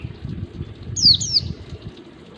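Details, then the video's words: Two clear, high, downward-slurred whistles from a white-eye in ngalas wild-type song, a lure for captive birds learning it, heard over a low rumbling, trickling water background. "pancingan pleci ngalas UNTUK PANCINGAN PLECI BELAJAR NGALAS"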